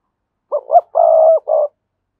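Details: Spotted dove calling to draw wild rival doves to come and fight: a short cooing phrase of two brief hoarse notes, then a long steady throaty coo and a shorter closing coo, all low and mellow in quiet surroundings.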